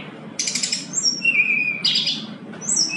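Brown-chested jungle flycatcher song: high thin whistled notes, some level and some falling, mixed with dense buzzy chattering bursts. The background is quiet.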